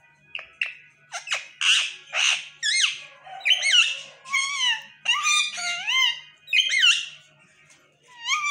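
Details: Pet parrot chattering and trying to talk: a rapid string of harsh, harmonic squawks and bent, rising and falling whistled notes, about a dozen bursts in quick succession with brief gaps, no other clear sounds.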